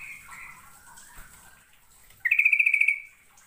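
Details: Yellow-vented bulbul (trucukan) of East Java, Indonesia, in a lure recording of lively, full-phrased song: faint scattered notes, then a loud, rapid, even-pitched trill of about a dozen pulses lasting under a second.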